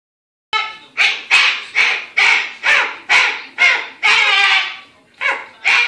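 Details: A pet umbrella cockatoo, freaking out over a cockatoo stuffed animal, gives harsh, raspy screeches in a fast run, about two each second, with a longer drawn-out squawk near the end.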